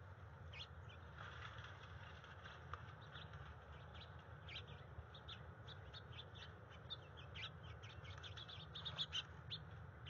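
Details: Female bald eagle of a resident nesting pair, recorded 30 January 2021 while working on the nest. She gives her routine chant to get the male to mate. Rapid, irregular series of sharp, high piping notes over a steady low rumble.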